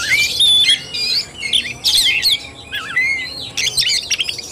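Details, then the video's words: Oriental magpie-robin, fighting-style (tarung) song, 17 August 2021: loud bursts of clear rising and falling whistles mixed with squawky chatter, delivered in short phrases separated by brief gaps. "KACER TARUNG"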